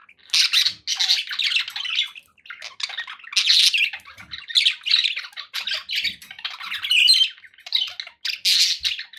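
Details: Pet budgerigars in happy company give loud, raspy, warbled chatter in repeated bursts about every second, squeaky chirps mixed between them and faint low taps beneath.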